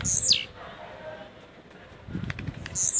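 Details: Blue-black grassquit, a caged bird in Jacarepaguá, Rio de Janeiro, Brazil, giving rojão song: a high buzzy falling phrase at the start and another beginning at the end, with thin ticking sounds and low murmur between.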